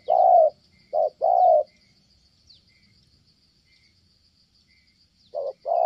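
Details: Spotted dove cooing at a trapping site in Kon Tum, Vietnam, broken off when a female interrupts. Three mellow coos open, then a long quiet gap with faint insect buzzing, then two more coos at the end.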